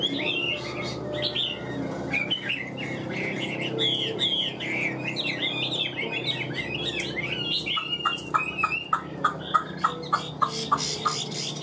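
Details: Hwamei kept in a cage sings rapid, varied whistled phrases for several seconds, then the song fades as a series of sharp, evenly spaced clicks takes over.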